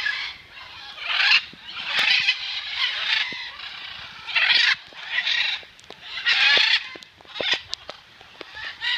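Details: Rescued macaws at an animal sanctuary, showering in the rain, give harsh, raspy squawks in loud bursts every second or two over a steady hiss of falling rain.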